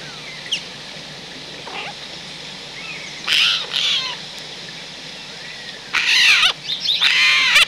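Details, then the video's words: Eurasian jay at a wild-bird feeding point in the countryside of central France, autumn, recorded 17 December 2019; scattered harsh, rasping screeches, two longer grating bursts near the end, with faint thin chirps between. "GEAI des Chênes/Garrulus glandarius/Automne/Élocution !"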